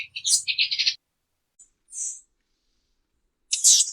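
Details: Latin American tanager bursts into rapid high chattering, falls silent apart from one thin high note, then ends with another loud sharp twitter.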